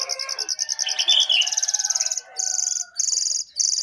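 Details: Caged jongkangan singing hard from the top of its cage: loud, rapid trains of high ringing pulses, broken by short pauses and a brief warbled phrase.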